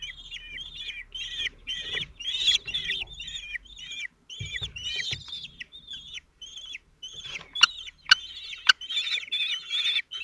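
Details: At a Théding nest in France, late June 2023, the male common kestrel feeds his four 17-day-old young: rapid series of high, hooked squeals, each bending downward, tumbling over one another, then sharper ticks near the end.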